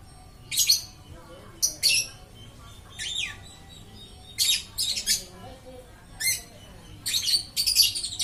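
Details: Lovebird chattering continuously: irregular harsh high chirps and squeaks, some doubled or in quick clusters, a few sliding downward, with pauses between bursts.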